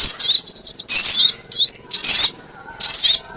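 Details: Crimson sunbird lure call for trapping: four bursts of piercing, high chirps and short rising-falling trills, each under half a second, spaced roughly a second apart.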